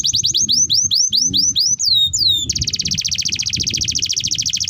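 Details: Canary singing a long, loud training song: a run of rising whistled notes, a few sweeping slurs, then a fast, even trill of high buzzy notes repeated many times a second, over low background rumble.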